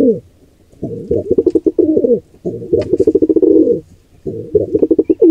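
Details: Throaty, vibrating pigeon coos as an intruding wild pair attacks a squab in its nest, uneven phrases of rapid pulses broken by brief silences.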